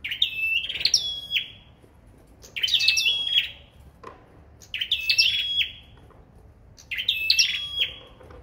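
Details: A sâu đầu đỏ singing in competition gives four similar phrases about every two seconds, each a jumble of high bright notes that ends in a fading level whistle.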